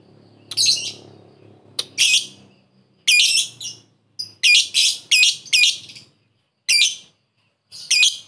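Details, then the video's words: Lovebird calling a rival, ngekek lure: loud, shrill, separate chirps, some in quick groups of three or four, over a faint low background hum at the start. "Pancingan lovebird memanggil musuh ngekek"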